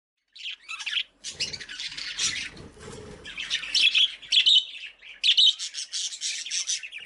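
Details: Colony-breeding budgerigars in an aviary: dense overlapping chirps and warbling chatter from several birds, with soft scratchy sounds in the middle.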